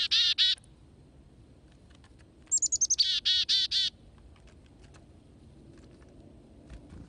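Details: Chickadees at feeders, taking food from the hand; a buzzy, harmonic dee-dee-dee at the start, then a high sliding chick-a- lead-in followed by a rapid string of harsh dee notes, then quiet.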